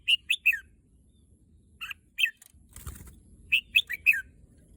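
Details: A red-whiskered bulbul wanting to go to the contest field sings clipped, bright three-note phrases, some ending in a downward slur. A brief burst of wing flapping or rustling sounds midway.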